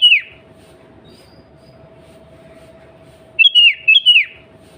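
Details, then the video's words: Sooty-headed bulbul female calling the male, a lure to make bulbuls sing: one falling whistle at the start, then a long quiet gap before a quick burst of three or four warbled, downward-sliding notes. "Suara Burung Kutilang Pancingan Harian Paling Ampuh"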